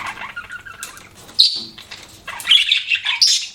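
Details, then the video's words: Budgie chirping in quick, high squeaky notes, a few harsher squawky bursts and a sharp rising whistle, the chatter louder toward the end. "BUDGIE CHIRPING SOUNDS"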